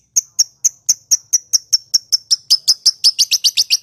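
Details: Lovebird ngekek trill for provoking silent rival lovebirds into calling: clear, high, piping notes start slowly, then accelerate and grow louder and buzzier toward the end.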